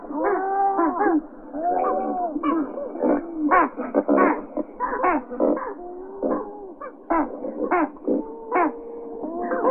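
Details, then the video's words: Great white pelicans (Pelecanus onocrotalus) give a dense chorus of deep, moaning, harmonic calls, several birds overlapping in short bursts with bending pitch. "Голоса птиц Как поёт Пеликан розовый"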